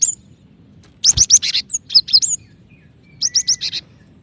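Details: A female cinereous tit calls the male with several fast bursts of high, squeaky chirps and downslurred whistles, plus one brief low thump near the start.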